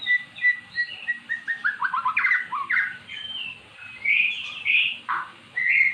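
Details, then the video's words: Caged magpie-robin stirred to sing by magpie-robin song played to it: a descending series of quick slurred notes, then loud rich whistles and a sweeping downslur in separate phrases. "Burung Murai jadi GACOR setelah dengar kicauan di YOUTUBE"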